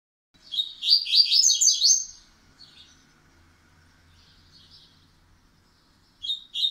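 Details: A Double-collared Seedeater whose "pancadão" song is gradually becoming steady gives a fast, bright, twittering burst of high notes for about 1.5 seconds, then scattered soft notes and a short closing phrase, with faint room hum.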